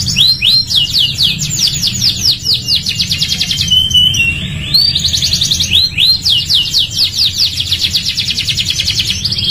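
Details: Energetic canary singing meant for teaching other canaries: bursts of fast repeated chips, clear whistled glides and rolling trills alternate in a long, unbroken, high-pitched phrase.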